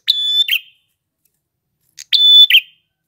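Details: Two drawn-out phrases from a male red-headed prinia, each a flat high whistle ending in a buzzy flourish, about two seconds apart; otherwise silent.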